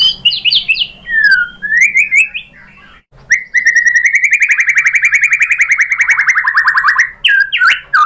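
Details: Lure song of a white-rumped shama meant to trigger singing in other shamas: varied whistled opening notes, a brief pause, then a long rapid buzzy rattle of repeated notes lasting about four seconds, ending in sharp whistles.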